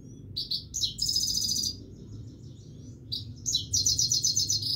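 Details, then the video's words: Continuous singing from a Himalayan goldfinch, two bursts of high, quick, chattering trills and buzzy repeated notes separated by a quieter pause, with a low background hum throughout. "himaleyan goldfinch singing continuesly"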